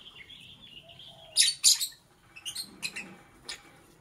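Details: Lovebird chirping in the morning, opening with a thin sustained whistle, then two loud harsh chirps followed by a run of quicker, softer clipped chirps.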